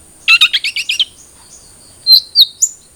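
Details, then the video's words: Cendet trotol (long-tailed shrike) played as a lure so a kept bird starts singing: a fast run of six scratchy high chirps, a pause, then three thin rising whistles, with a constant faint high-pitched hum behind. "Pancingan Cendet Trotol Agar Cepat Bunyi"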